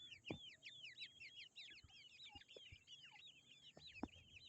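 Grey francolin chicks peep nonstop, an overlapping chorus of high, arched chirps several per second, with occasional sharp knocks and rustling.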